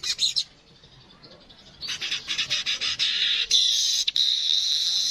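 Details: Streaked weaver, real voice: a brief loud burst, a quiet gap, then a rising stretch of high buzzy wheezing chatter with rapid ticks, held steadily to the end.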